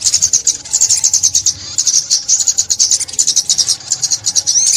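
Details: High, sibilant sunbird song from 2021: an almost unbroken stream of quick chirps and ticking notes, steady in pitch, with a short pause near the middle.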